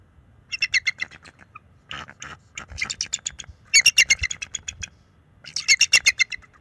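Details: Bald eagles at a nest on March 7, 2024, a young male calling and flapping his wings to warn off an owl perched nearby. Bursts of rapid, high, piping chirps in quick series, with short pauses between volleys, recorded by a close-up nest camera.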